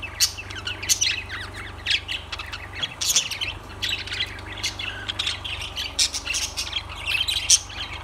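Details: Busy lovebird chatter: rapid, harsh squawks and thin chirps follow one another almost without a break, the calls overlapping in a noisy twittering mass above a low hum.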